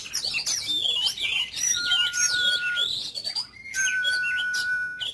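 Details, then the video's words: Daily voice training of an ornamental Oriental magpie-robin in 'kích lửa' style: dense, loud, high warbling and rapid chatter with two long level whistles cutting through the song. "Chòe than hót,kích lửa.Luyện giọng mỗi ngày"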